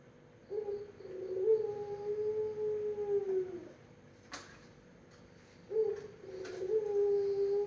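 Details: Melodious pelung Barbary dove cooing: a short note and a three-second, gently falling hum, a silent gap with a sharp click, then the same phrase starting again.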